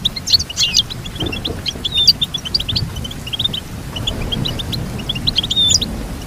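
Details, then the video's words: Goldfinch twittering in fast series of short high notes with occasional thin whistles, over a steady low background rumble. "Teach your goldfinch to sing beautiful motivational songs"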